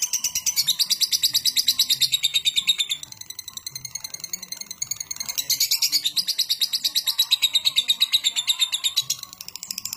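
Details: Lovebird giving a long ngekek chatter while turning around, used as a lure to set other lovebirds singing; fast, even stream of high buzzy chirps, briefly dipping near three seconds, then resuming with a thin whistled line underneath.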